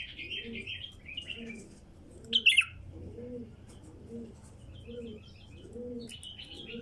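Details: A wild female bulbul sings scattered chirpy phrases with one sharp, loud burst of tumbling notes partway through; low dove cooing repeats about once a second throughout.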